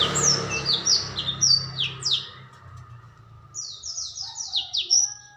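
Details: High descending chirped notes strung into quick series, a brief lull, then a second clear run of evenly repeated slurred whistles, sung by a young black-throated canary. Low-pitched background noise fades early on.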